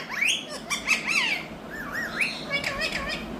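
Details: An Indian rose-ringed parakeet kept as a talking pet utters wavering, looping whistled phrases and quick chirps, the notes rolling up and down in a speech-like babble.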